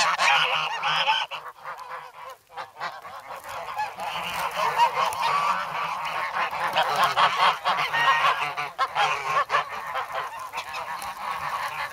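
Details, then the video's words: In snow at Sloterpark, Amsterdam, on 3 February, hungry grown goslings crowd for bread and peck legs and fingers; recorded with a Sanyo SH1. Honking bursts start, a brief lull follows, then a softer, continuous jumble of calls resumes. "Geese in the Snow"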